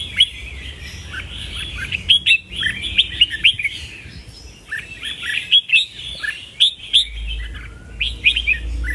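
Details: Red-whiskered bulbul giving repeated phrases of bright, quick chirps and sharp whistles in two long bursts, with a low hum in the background.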